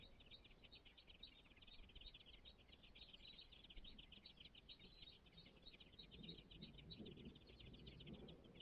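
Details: Five song thrush nestlings in a nest, waiting to be fed, keep up a rapid, thin, high chorus of begging notes over a low background rumble.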